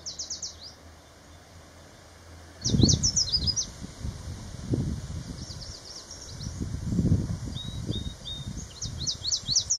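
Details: A Yellow Warbler, in southern Maine in June 2024, where males sing on established territories each morning, sings bright, high, quick phrases of sweet notes every couple of seconds over heavy wind rumble and a steady insect-like hum.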